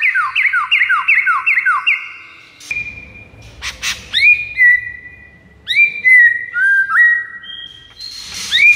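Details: White-rumped shama lure song for rivals. A fast train of repeated dipping whistles opens, followed by scattered clicks and long, pure whistled notes that slide and step down in pitch.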